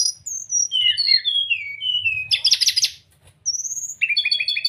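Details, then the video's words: A brown-chested jungle flycatcher sings clear, high, downward-sliding whistles, then a dense chattering burst, a rising whistle and a quick run of repeated notes; this is a recording meant to prompt other birds to sing and to be easy to imitate. "pancingan srdc agar cepat buka paruh..dan masteran srdc mudah di tiru ,terapi srdc malas bunyi"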